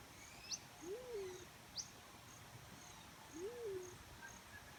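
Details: Black-chinned fruit dove giving two low, hooting notes about two and a half seconds apart, each rising then sliding down, with faint high chirps and steady insect buzzing behind.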